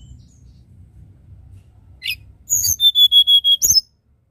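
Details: Sunda robin (tledekan gunung) singing in flute-like nyuling style: a high buzzy note, then a steady run of about seven clear whistled notes on one pitch, ending with a sharp high flourish; quiet low hum beneath.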